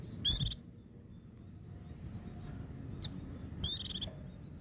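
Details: White-eye song in the ngecir sambung ngalas style, used as therapy to get young trainee birds singing. Two very high, rapid trilled bursts about three seconds apart, with a brief single high note between them, over a low steady hum.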